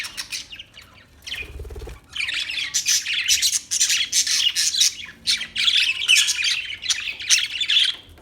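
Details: Budgerigar sound: a short low rustle, then continuous loud, harsh chattering and squawky chirps packed closely together for several seconds.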